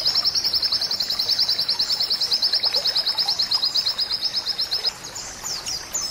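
A white-eye sings a long, high, rapid chattering trill of about ten notes a second for five seconds, then switches to a few sharper, higher notes.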